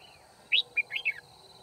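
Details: Red-whiskered bulbul singing as a trapping decoy at Kim Bôi, 9 February 2019. One short, loud phrase of four or five sharp, sweeping, chirpy notes ends in a falling slur, and a man's voice follows.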